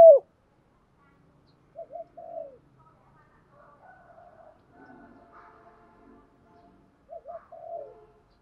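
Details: Spotted dove giving the 'thúc gù' urging coo style: a few soft, low, hooting coo phrases around two and seven seconds, with faint murmured notes between them and a sharp knock at the very start.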